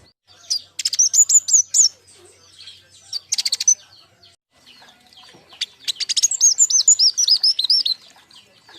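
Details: Lure and master sound from a group of fledgling king konin: bright, fast chirping trills and looping high whistles in three bursts, the last one longest and most varied.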